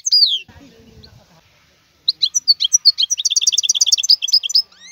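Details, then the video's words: A wild European goldfinch gives one sharp call, then after low rustling and a quiet pause launches into a quick, jingling trilled song phrase that ends with a rising whistle. "اسمع بأذنيك تغريد هذا الحسون البري"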